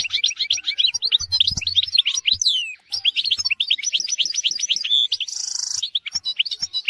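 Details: European goldfinch in full tutor song for training goldfinches and canaries, an unbroken tinkling twitter of quick notes with a brief nasal buzzing trill late on.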